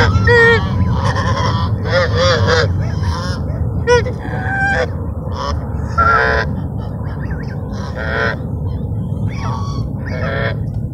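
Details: Ducks being fed at Sunset Park at sunset: a flock gives short nasal honking and quacking calls, often several overlapping, in bursts, over a steady low rumble of wind or traffic.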